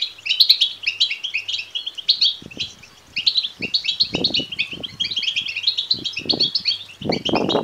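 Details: Goldfinch nestlings begging, recorded to stir males into song and breeding; dense, shrill twittering chirps run throughout, a brief lull near the middle, with dull low knocks and thuds in the background.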